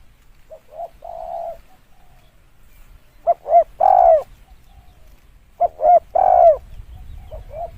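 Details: Spotted dove lure call: a faint, buzzy opening coo, then two louder phrases, each with two short coos and a long downward-curving coo. A low rumble lies underneath.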